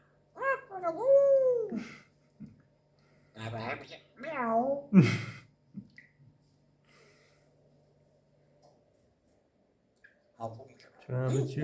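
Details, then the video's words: A grey parrot mimics animal sounds such as cats, dogs and roosters in a quiet room: a wavering meow-like wail, then rising and falling harmonic calls and a few speech-like bursts. "The Sound of Cats, Dogs, Roosters and All Animals"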